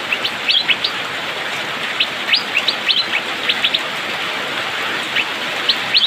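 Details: Asian fairy-bluebird (cucak biru, pikpik) singing busily in the rainy season: clusters of sharp, rising chirps and twangy notes in quick bursts, with a pause mid-way, against constant rainfall noise.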